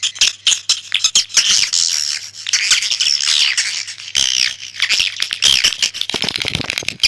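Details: Swiftlet lure call made of overlapping harsh, high chirps and squeaky twitters in a dense, continuous chatter, with short sharp clicks scattered throughout.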